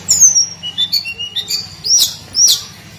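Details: Hill blue flycatcher (tledekan gunung) in daily song: a high whistle sliding downward, then short warbled notes and two sharp rising notes, over a faint low hum.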